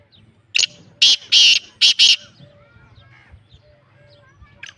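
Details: Black francolin of the Lakka strain, called pure Lakka lineage: a burst of about five loud, harsh, grating notes in quick uneven sequence, the middle ones longest, then near quiet with faint chirps from other birds and one last rasp.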